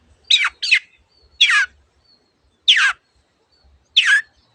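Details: Long-tailed shrike in energetic song, from a tutor recording for birds slow to sing that features many other birds' sound variants: five harsh, buzzy, downslurred notes, the first two close together, then single notes about every 1.3 seconds over a quiet background.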